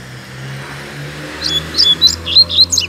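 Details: Neighbourhood double-collared seedeater, free rather than caged, begins singing after a pause: a string of crisp, high chirps and short whistled slides, while a steady low mechanical hum runs underneath.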